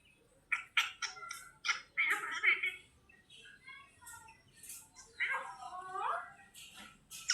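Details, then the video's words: Parrot imitating human speech, saying "Allah hafiz": a string of short squawky syllables, then a longer rasping spoken-like phrase, then further clipped notes, recorded quietly with faint background hiss. "parrot saying "Allah hafiz""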